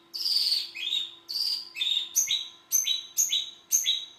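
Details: Long-tailed shrike singing: sharp high chirps sliding downward, each phrase a bright upper note dropping to a lower one, repeated about once per second over a faint steady hum.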